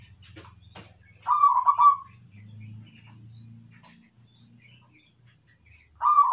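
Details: Zebra dove, locally called perkutut, giving a fast burst of clipped, rolling coo notes, then a quiet pause with low background hum before a second phrase begins at the end.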